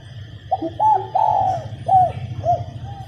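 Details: Spotted dove hen cooing to stimulate cocks to sing: one five-note phrase of hollow coos, short, medium, long rolling, then two short falling notes, a faint lower note mixed in, over a steady high hum.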